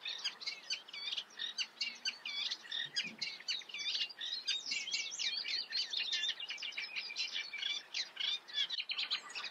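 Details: Eurasian reed warbler in continuous song, a rhythmic stream of grating, churring phrases, each note type repeated two or three times before switching, with a low, quiet hum underneath.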